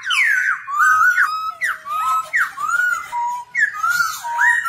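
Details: Black-throated laughingthrush singing while dancing, a caged tutor for young birds: loud fluty whistles with sweeping down-and-up slurs, repeated phrases a second apart, and short level notes between.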